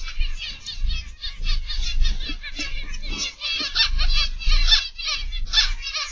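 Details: Many zebra finches kept in an aviary, afternoon of 22 October 2021, chatter in a busy flock: rapid, overlapping nasal toots and buzzy notes with no pause, plus a soft low-frequency hum underneath.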